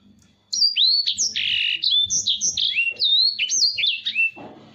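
A Black-throated canary sings a fast, unbroken run of high, sliding whistles and bright trills, shifting pitch every fraction of a second, over a faint low hum.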